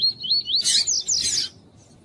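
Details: Caged double-collared seedeater singing, with a female calling, used to warm up males for song tournaments: a run of clear, rising whistled notes, then loud buzzy, harsh bursts, ending abruptly.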